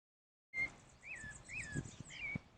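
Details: A wild pale-breasted thrush (Turdus leucomelas) gives a few short, slurred whistled notes, some dipping downward, over faint high chirping and low background thumps.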